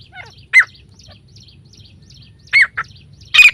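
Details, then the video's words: Female grey francolin (teetar), presented as a hunting call: three loud, short, sharp high notes, each with a quick downward flick. The first two are about two seconds apart and the third follows under a second later, over a low steady hum with faint chirps between. "female teetar Sikar Voice pheasant call"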